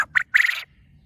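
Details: Loud call of a caged farm quail: two quick sharp notes followed by a longer buzzy, rasping note, the whole phrase under a second, with a faint low hum underneath.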